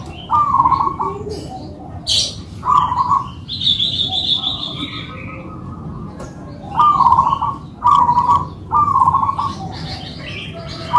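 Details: Local-type zebra doves, kept birds, singing a manggung duet: rolling purred coos in clusters, while other small birds give high buzzy chirps in the background.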